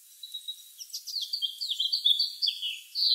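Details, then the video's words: A red house finch sings under a blue sky, a quick, jumbled warble of bright, high notes that rise and fall in pitch, with a faint background hiss. "Happy bird song"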